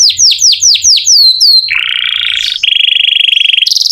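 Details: Canary song meant as training audio for other songbirds: about seven quick down-slurred whistles, then a buzzy rolling trill and a long even rattle at a steady pitch.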